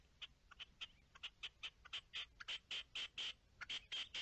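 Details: Partridge on 10-03-21 uttering a loud, accelerating series of grating chuck notes that settle into a steady, regular beat of about four per second in quiet surroundings.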